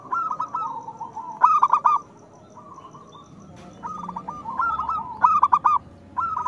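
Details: Local zebra doves in Indonesia, a bird singing loudly, used as a lure for doves reluctant to sing: soft cooing phrases around one kilohertz, with bursts of sharper rolling notes repeated at intervals, and a faint low hum beneath.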